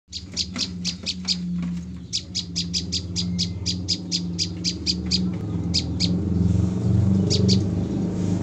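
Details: Female olive-backed tailorbird caught three days earlier, already calling: rapid bursts of short, high, sharp chipping notes repeated in quick groups, with a steady low hum underneath.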